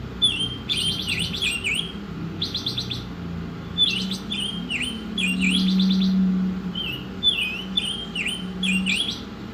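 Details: An Oriental magpie-robin sings a masteran song of looping, down-slurred whistles alternating with brief harsh stuttering rattles, repeated quickly, with a low droning hum underneath.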